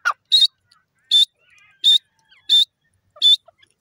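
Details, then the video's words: Repeated call of a grey francolin: strident, high, short whistles evenly spaced under a second apart. A lower note opens the sequence, and faint chirps fall between the calls. "titar ki awaj gray teetar wonderful sound"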